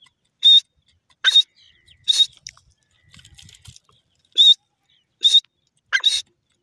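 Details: Grey francolin giving loud, piercing, high-pitched notes at an uneven pace, several with a short lower lead-in, with a pause mid-sequence filled by faint rustling.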